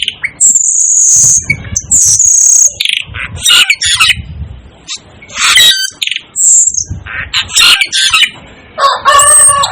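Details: Asian glossy starling (Aplonis panayensis), known locally as cucak keling and dubbed the 'devil' bird, giving sharp high whistles and harsh chirps in quick bursts, some long piercing notes, with short gaps between bursts.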